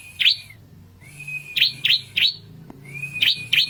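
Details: A red-headed prinia sings vigorously with sharp, high chirped notes, each sliding down into a thin sustained whistle, repeated in quick bursts over a faint low hum; the song is used to provoke rival birds.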